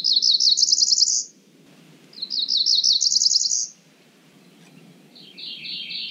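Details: Cerulean warbler giving high buzzy songs of rapid repeated notes rising in pitch, each phrase about one second long, three phrases with short pauses between them over soft low background noise.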